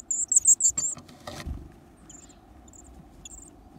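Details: Varied tit chicks, lively and hungry, eating large insects as they grow day by day; a quick burst of very high, thin squeaky notes in the first second, then a few scattered faint peeps.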